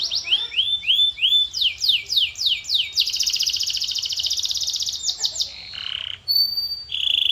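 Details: Canary in full song: rising whistled notes, steep descending sweeps, a long dense rolling trill, then short chirps, a lower buzzy burst and a high pure whistle near the end.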